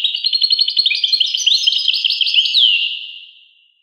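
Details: European goldfinch song, a rapid bright twittering of clipped notes ending in a clear down-slurred note that trails off into an echoing fade.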